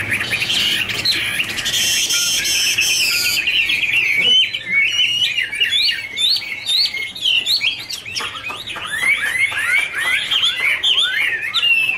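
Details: Hwamei song, Garrulax canorus: a harsh buzzy opening burst for a few seconds, then a long run of bright whistled, swooping notes, fast and varied.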